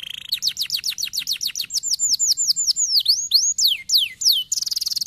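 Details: Canary song played to stimulate silent canaries into singing: rapid series of clear whistled notes sweeping downward, repeated several times a second, slowing into longer swoops, ending in a fast buzzy trill.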